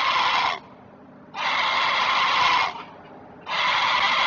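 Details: Great blue heron guarding offspring at a Chesapeake nest, recorded by a nest camera in May 2023. Three drawn-out, loud, gravelly calls over a second long each alternate with brief silences.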